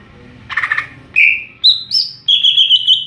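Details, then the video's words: Cucak ijo or greater green leafbird in ngeplong song: a short rasping burst, then long, clear, steady whistles stepping upward in pitch. "Burung cucak ijo NGEPLONG2.."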